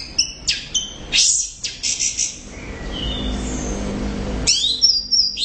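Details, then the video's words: Orange-headed thrush singing loudly and persistently: bursts of high, sharp whistled and chattering notes, a quieter gap with a thin whistle, then a fresh burst of descending slurred notes. Low steady hum underneath. "Suara Burung | ANIS Merah Gacor Volume Keras"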